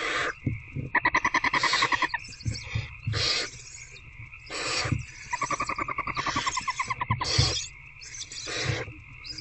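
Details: Adult barn owl and older owlet in an owl box at night, 19 February 2024, during a one-on-one rat feeding: dense run of harsh screeches mixed with fast pulsed chittering bursts, steady hum behind.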